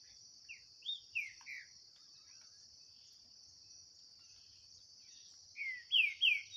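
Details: Green-winged saltator in a 2023 singing dispute with a free wild bird in the bush. Softer falling whistles early on, a long stretch of insect drone, then three loud, clear, downslurred notes at the end.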